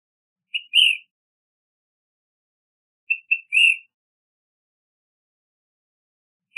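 An Ash-throated Flycatcher gives short burry phrases, a quick clipped note or two, then a rough rolling "ka-breer", repeated about every three seconds in an otherwise silent setting.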